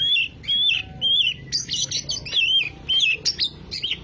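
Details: Oriental magpie-robin, known locally as kacer, singing a lure song meant to start a silent bird: clear whistled phrases, some flat and some rising, separated by short gaps, broken by harsh buzzy bursts, roughly two phrases a second.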